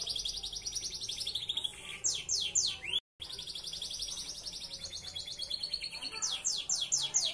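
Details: Belgian Bossu canary in unique-style song meant for tutoring canaries: sustained fast buzzy trill sliding lower, a cluster of sharp falling sweeps, a short gap, then more rolling trills and swept notes.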